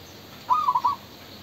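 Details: Male spotted dove giving a single cooing phrase of four or five short, soft, hollow notes at a steady mid pitch, the middle notes pulsing quickly, lasting about half a second against a quiet background.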